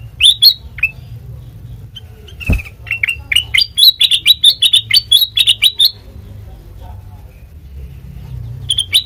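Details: Sooty-headed bulbul used as a training lure: a few scattered chirps and a sharp click, then a long, rapid chattering run of bright, upward-flicking notes, silence, and a final brief burst, over a low hum.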